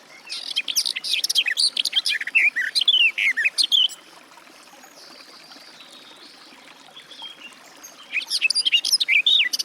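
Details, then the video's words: Garden warbler singing a fast, rich warbling phrase of varied chirps and slurred notes for about four seconds, a quiet pause with a faint stream-like hiss, then another hurried warbling burst. "Warbler garden, birdsong"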